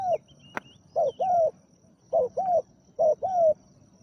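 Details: Spotted dove, a deep-voiced captive decoy bird calling to lure a wild dove. It gives short groups of two or three deep, slightly rising-and-falling coos, with a sharp click near the start and faint background hiss.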